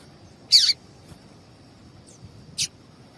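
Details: Female papa-capim seedeater call, meant to set males singing: a loud, buzzy, slightly descending chirp, then after a pause of about two seconds a shorter, softer chirp, over a faint high hiss.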